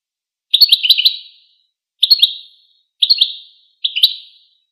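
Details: Goldfinch repeating four quick, bright phrases of stacked, chittering notes, each about half a second long and roughly one second apart, with no other sounds.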